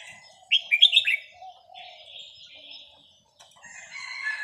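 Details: Vietnamese red-whiskered bulbul, a small caged bird aged over ten, gives one quick phrase of four or five liquid whistled notes, then a softer trailing warble and quiet pause.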